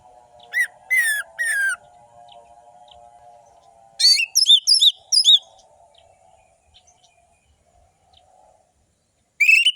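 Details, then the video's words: Energetic orange-headed thrush with long drawn notes and sharp trills, used as a lure for quiet birds. Three descending whistles are followed by a cluster of quick, ringing, slurred notes, then a last rising whistle. A steady low humming tone plays early on. "Anis merah gacor‼️ Pancingan anis merah malas bunyi"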